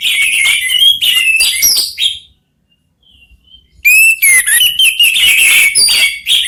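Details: Orange-headed thrushes, three answering each other, sing loud rich whistled and warbled phrases, pause briefly with a soft faint note, then resume with bright rising whistles and chatter.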